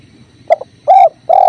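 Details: Spotted dove (tekukur), recorded as a masteran with clear river sounds: a short clipped note, then two mellow hollow coos, the second long and level, over a soft low water murmur.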